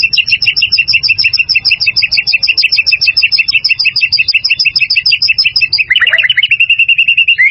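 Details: White-rumped shama song for training caged birds: a long rapid chain of bright, evenly repeated chirps at about three per second, ending in a short tumbling trill and a steady whistle.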